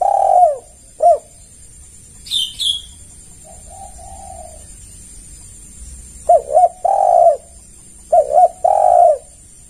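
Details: Spotted dove lure call used to draw in other doves: paired and grouped hollow coos, some drawn out, with one high chirp and a steady electrical hum.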